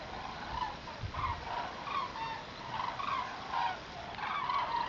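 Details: Common cranes migrating in October 2014, a flock giving repeated trumpeting calls that overlap in bursts about every half second, with low rumbling wind noise.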